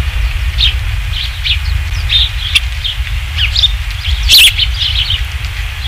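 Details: Osprey nest on a ranch, 27 July 2016 near 19:55, with a third fish: a run of high whistled chirps, one loud rasping burst near the end, over steady low hum.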